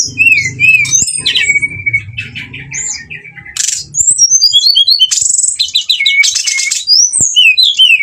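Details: Lure song of a brown-chested jungle flycatcher, played to stir rivals to fight: varied high whistles, looping slurred notes and sharp buzzy bursts in a lively, rapid flow. The opening is over a low rumble.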